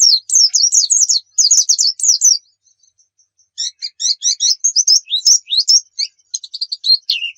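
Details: Song of a Javan white-eye (pleci), used as a training recording for caged birds: dense high twittering bursts, a faint pause, then varied squeaky chirps and slurred whistles ending on a lower downward note.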